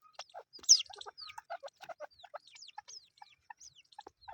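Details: Chukar partridge chicks calling: a busy run of short, varied chirps and peeps, some sharply descending and whistled, others clipped, repeated in quick irregular bursts with brief gaps between them.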